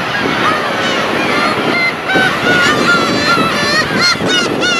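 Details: A huge flock of black-tailed gulls (Larus crassirostris) being walked into: dense chorus of overlapping nasal, mewing cries from many birds at once, with a steady rushing background like surf or wind.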